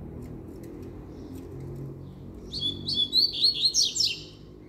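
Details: A single rapid burst of song from a Double-collared seedeater, with sharp high whistles sliding up and down in a chattering run lasting under two seconds, after a quiet stretch of soft room noise.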